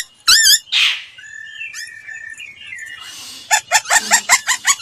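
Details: Laughingthrush training song: a warbled, looping phrase and a harsh rasp, then quieter sliding whistles. It ends with a rapid series of bright, chattering notes repeated several times a second.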